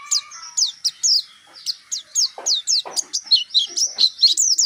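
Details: Pacitan Dakun white-eye delivering nembak song with mantenan and zipper witwit elements: a string of thin, high, downslurred notes that speeds into a dense warbling run toward the end.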